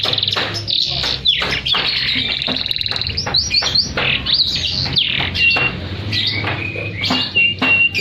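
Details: Canary singing energetically in high-and-low style as a training master for silent canaries: jumbled quick whistles, upslurs and trills, with sharp clicking noises and a low hum in the background.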